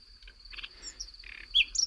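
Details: At night at Las Navas de Riofrío, Segovia, Spain, a common nightingale, a species that sings by day and night, gives a short run of soft buzzy notes, then sharp high whistles and chips, over a faint steady high hiss.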